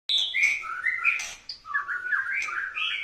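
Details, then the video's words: White-rumped shama singing in courting style: a rapid run of varied clear whistles that jump between high and mid pitches, with short slurred notes and brief buzzy accents, in a small indoor space. "Murai Batu gaya ngerayu"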